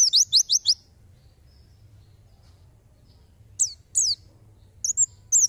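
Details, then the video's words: White-eye (pleci) song used as tutor audio for songbirds: very high, thin bursts of four rapid sharp notes, then after a pause, paired sliding whistles and quick chips. "Tembakan pleci!"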